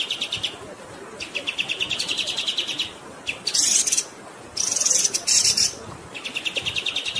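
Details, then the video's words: Long-running kapas tembak song: trains of quick repeated chirps alternate with loud buzzy high-pitched bursts, all set over the steady rush of flowing water. "MASTERAN KAPAS TEMBAK GACOR Ngerol Durasi Panjang"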